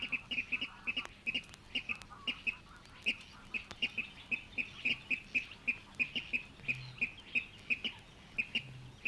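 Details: Water Rail in the reed beds of Matsalu, a field recording: sharp, clipped, high notes repeated about three times per second in a steady, even series lasting several seconds, over faint low rumble.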